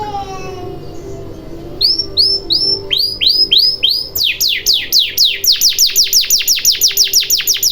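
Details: Canary song used as a lure to get silent canaries singing again: after a quiet, faint start, repeated downward-curving whistled notes give way to a fast series of sweeping notes, about three per second.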